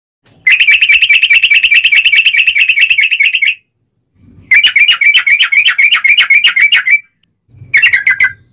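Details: Sooty-headed bulbul singing a loud, clear song in three bursts of rapid, evenly repeated whistled notes near one pitch, each burst ending in a slight downward slur; used as a training song to provoke other bulbuls into answering.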